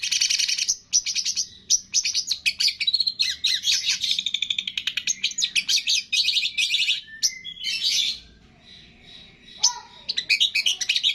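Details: Masteran song of a Long-tailed shrike mixing in imitations of cililin, greja tarung, lovebird, tengkek and kapas tembak: a dense, nonstop stream of high chattering, scratchy and twittering notes with quick pitch jumps, briefly pausing near the end.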